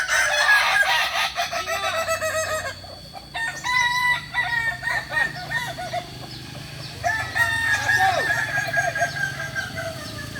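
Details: Kokok Balenggek roosters practising together in Ampang Kualo, Kota Solok, West Sumatra; repeated long crows of rapid looping syllables from several overlapping birds, with brief dips between bouts and low background hum.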